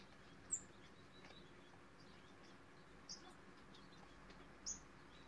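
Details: King quail (Coturnix chinensis) with its chicks: three thin, very high, brief peeps, spaced one to two seconds apart, over a steady background hiss.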